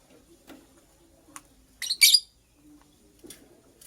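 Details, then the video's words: Purple lovebird, a female making a nest, gives a short cluster of sharp, high chirps near the middle, preceded by a few faint ticks, with quiet soft rustling in between. "Purple Lovebird Chirping Sounds - Female Lovebird Makes a Nest"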